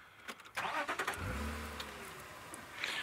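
A car engine cranks and starts, then idles with a low steady hum, with some clatter and no animal sounds.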